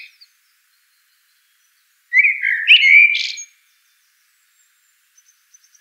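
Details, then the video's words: Common blackbird (Turdus merula) delivering one loud, mellow warbling phrase with a slurred rising start and a scratchy high flourish at its end, otherwise silence with a few faint ticks. "Bird Song - Common Blackbird"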